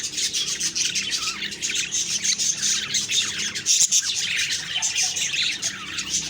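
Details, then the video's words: Budgerigars chirping in the morning, October 2, 2023: nonstop overlapping high twitters and short whistled squeaks from multiple birds, steady in loudness throughout. "Beautiful morning birds chirping sounds/Budgie sounds"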